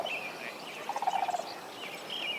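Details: Sandhill Cranes bugling from a wetland by an alfalfa field in Idaho, a pair seen leading two young colts, give a rolling, rattling bugle of about eight quick pulses in half a second, with thin songbird phrases behind.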